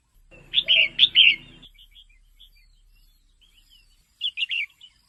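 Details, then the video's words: Female red-whiskered bulbul calling to stimulate males: a loud burst of three rapid chirpy notes over a low hum, soft scattered twitters, then a second quick three-note phrase. "เสียงนกกรงหัวจุกตัวเมีย แก้ปัญหานกไม่เล่นราว ช่วยกระตุ้นนกกรงหัวจุกให้คึกคัก"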